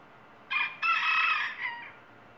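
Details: Rooster crowing: a short harsh opening note, a brief gap, then a long loud strained harmonic note with a falling tail, heard once over faint background hiss.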